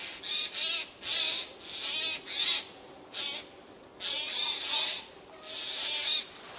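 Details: Eurasian jays sitting unseen in spruces, recorded 13 September 2024; rough, scratchy screeches repeated fast in pairs and triplets, filling most of the recording.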